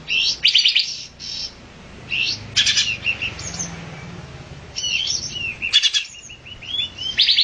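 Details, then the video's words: Olive-winged bulbul calls: scattered high buzzy chirps and quick upslurred notes, some grouped in short rattling bursts, over a quiet background. "olive-winged bulbul"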